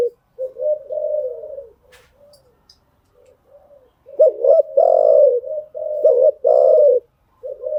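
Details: Lure spotted dove cooing to train freshly caught birds. Soft, quiet coos at first, then loud phrases of short stuttered notes and drawn-out falling coos in a low, mellow voice.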